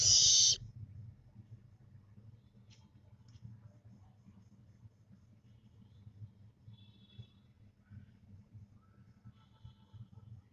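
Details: A 25-day-old barn owlet, losing its down, gives one harsh, breathy hiss lasting about half a second. Then only a low hum and a few faint ticks follow.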